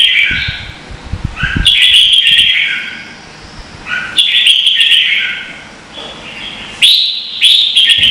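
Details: Red-whiskered bulbul contest song, Vietnam: warbling phrases in bursts with quieter gaps, sharp bright onsets and falling tails, faint clicks early on.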